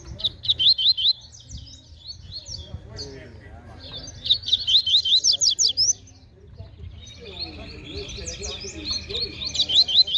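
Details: Double-collared seedeater, a fast, strong singer, in a baderna song contest: loud rapid phrases of sharp, repeated whistled notes in three bouts separated by pauses, over low crowd voices.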